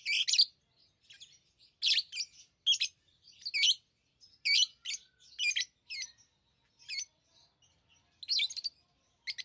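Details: Lovebirds chirping: short, harsh, high chirps in bursts of one to three notes, irregularly spaced with brief silences between, sharp and buzzy in tone.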